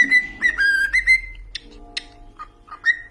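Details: Short burst of cockatiel whistling, a few warbled tonal notes followed by scattered clicks and one last rising whistle.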